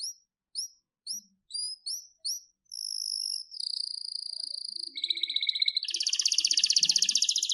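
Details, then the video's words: Canary song opens with short paired high chirps, moves into steady sustained whistled tones, then breaks into a dense, very fast rolling trill. "Wonderfull Canary Singing"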